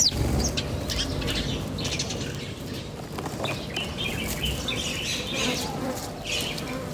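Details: Outdoor birdsong in nature with scattered high chirps and twitters throughout, busier toward the middle and end, over continuous low background rumble.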